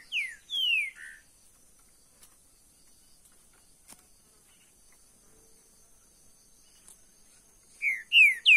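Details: A caged green-winged saltator gives short phrases of rich, downslurred whistles, once at the start and again near the end, over a steady high insect hum.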